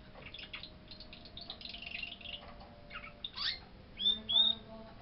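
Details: A six-month-old canary singing indoors, recorded in Penacova, Portugal, on 29 December 2013 as it shows off its voice. It gives a varied run of high chirps and short notes, then clear whistled tones near the end, with faint voices in the background.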